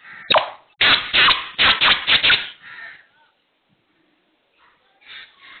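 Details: Kala teetar, the black francolin, giving a loud run of harsh, scratchy notes in quick succession, fading into a softer trailing note, with a faint couple of similar notes after a short silence.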